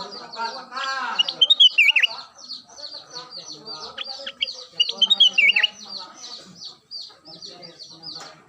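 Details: Energetic daily song of the black-crested bulbul (kutilang emas): two bursts of clear whistled notes sliding downward, about four seconds apart. A constant chorus of sharp high chirps and lower murmurs fills the background.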